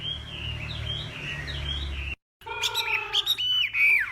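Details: Northwest Vietnam Hwamei in contest singing, morning practice: a run of looping whistled notes, a brief silence, then louder rich phrases with sweeping downslurs and sharp accents over faint low hum.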